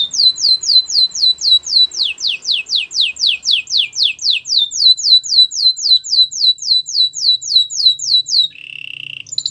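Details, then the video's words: Canary singing to prompt other canaries into song: long run of steep downslurred whistles, nearly four per second and very regular, closing with a brief buzzy rattle. "Special canaries to seduce all the canaries to make them sing"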